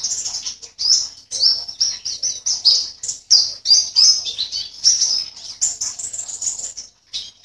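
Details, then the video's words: In an online singing competition, a caged white-eye from Sambas, West Kalimantan, gives a nearly nonstop run of shrill, twittering notes and brief trills, trailing off near the end. "LOMBA PLECI ONLINE 16 - Aksi Pleci"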